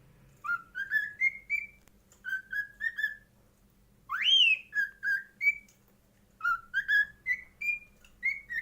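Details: Pet cockatiel (Nymphicus hollandicus) whistling a melodic song of clear, rising notes in repeated phrases.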